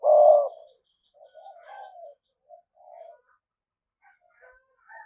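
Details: Decoy spotted dove cooing to draw wild doves, thúc gù style: one strong, long low coo at the start, then a few soft, fading murmured notes with faint higher calls.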